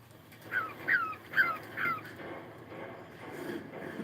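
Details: Four falling whistled notes from a cockatiel in the morning, repeated roughly twice a second, then fading into quiet background noise.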